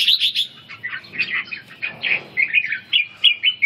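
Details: Training session for a red-whiskered bulbul's ché song as its vigour is restored; a high squeaky opening gives way to a steady series of rolling, whistled syllables spaced evenly.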